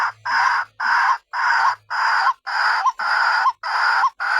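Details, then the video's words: White-breasted waterhen call played as a lure to draw in other waterhens: loud, harsh, drawn-out croaking blocks repeated about twice per second, each ending in a brief upturned note. "SUARA BURUNG RUAK RUAK AMPUH SEKALI BUNYI LANGSUNG BERDATANGAN"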